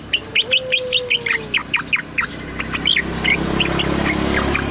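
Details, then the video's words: Caged Cucak Loreng (bulbul), an active singer, recorded as a master or lure song for training cage birds: rapid series of short bright chirped notes, about two or three per second, with a faint steady hum beneath. "Suara has burung CUCAK LORENG rajin berkicau"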